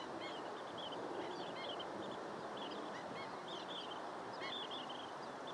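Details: Long-billed dowitcher calls sound as scattered high, clipped notes in loose clusters, with short pauses, against a continuous low rushing background.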